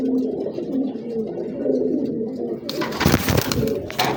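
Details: Male and female Giribaz high-flying domestic pigeons indoors give low, soft cooing, followed by a burst of rustling and clatter.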